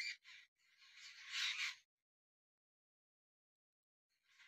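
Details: Jungle babblers, gregarious birds of the Indian subcontinent, in a tree in winter: harsh, noisy chattering bursts of grating squeaky notes, one lasting over a second, then a pause before another starts.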